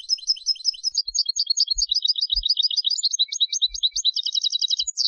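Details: Turkish goldfinch song recorded in Istanbul: a continuous fast stream of high, liquid twittering notes that rolls into a tight trill and finishes with a descending slur, with faint low knocks in the background.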